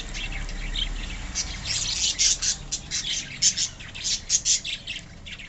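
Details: Colony budgerigars kept as pets chirp in a steady run of short, bright, high notes, rising in loudness through the second half.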